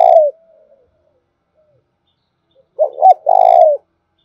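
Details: Spotted dove in the thổ đồng voice style, used as a lure to stimulate calling: a long coo ending, a pause, then a full phrase of two short hooting notes and a sustained buzzy coo.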